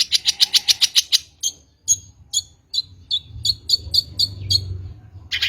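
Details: Long-tailed shrike, recorded as a lure: a fast, even run of about ten sharp high notes, then spaced single whistles, then another quicker series, with soft low rumbling in the background.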